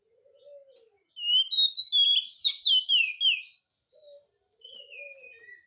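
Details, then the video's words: Oriental magpie-robin singing to provoke a reply from silent birds: a dense burst of high, quick slurred whistles between soft low warbling notes at start and end. "kacer gacor, cocok untuk pancingan kacer malas bunyi, jamin 1000% langsung nyaut"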